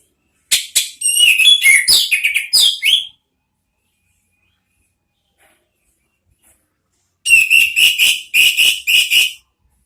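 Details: Orange-headed thrush song used as a lure to prompt the clear 'ngeplong' sound, in the chattering 'ngeriwik' style: a dense burst of bright warbled whistles, a long silence of about four seconds, then another rapid run of whistled notes.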